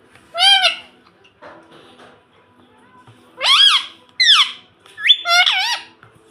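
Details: A young pet rose-ringed parakeet, said to talk and say "mummy", gives four rasping, speech-like phrases, each sliding up then down, spaced over several seconds in a quiet indoor room.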